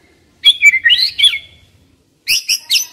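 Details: Decoy white-rumped shama giving varied warbled whistles that slide up and down, followed after a pause by a burst of high sharp notes.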